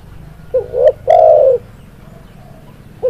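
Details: Spotted dove, known locally as tekukur, singing a low cooing phrase: a short rising coo, a second coo, then a longer drawn-out note, with another phrase starting at the end.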